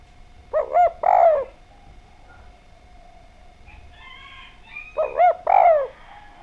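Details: Javanese spotted dove with a clear voice, used as a lure to make other doves sing; two cooing phrases, a short note then a long swelling coo, separated by a pause with a faint higher call between.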